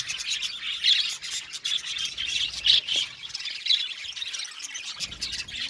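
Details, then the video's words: Budgerigar flock in an aviary, Australian parakeets chirping: a steady layer of bright, raspy twitters with louder clear notes standing out near one and three seconds. "Beautiful Budgies chirping sound | Budgies talking sound | budgies parakeet sounds"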